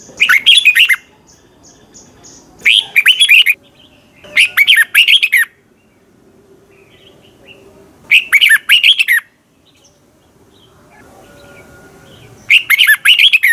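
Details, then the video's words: Caged Red-whiskered bulbul in Thailand singing fast teacher song for training: five short, bright warbled phrases at uneven intervals of one to four seconds, with a soft background hum and faint high notes. "ฝึกเสียงของคุณเพื่อทักทายกับยอดเพลงและร้องเพลงที่มีไฟอย่างรวดเร็ว นกกรงหัวจุก"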